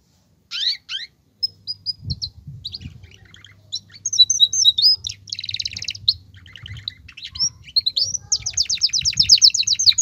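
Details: A male canary in breeding condition, excited to mate, sings with a female's call in the same recording. Fast high trills, chattering buzzes and sweeping whistles end in a rapid rattling trill, over a low hum.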